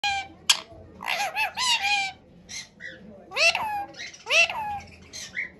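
A ring-necked parakeet chatters in short, harsh, speech-like phrases with rising squawky syllables, broken by brief pauses, over a faint low hum.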